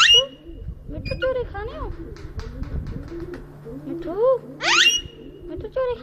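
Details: A talking ringneck parrot at a farm in Lahore, Pakistan, runs through quick speech-like syllables with arched, voice-like tones, then a loud harsh rising squawk near the end; a constant low hum underlies it.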